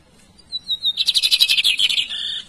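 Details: Singing Lined Seedeater: a short run of sweet, high whistles, then a quick, rattling, buzzy series of repeated notes that slows into a sustained, harsh trailing phrase.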